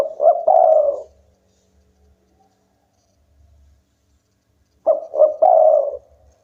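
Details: A local spotted dove sings actively, drawing rival birds into calling back. It gives two loud three-part cooing phrases about five seconds apart, each two short notes and a longer wavering coo.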